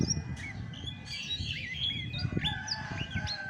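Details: Chestnut-backed thrush (anis macan) singing: clear, slurred whistled phrases, rising and falling notes in quick succession, with a steady low hum underneath.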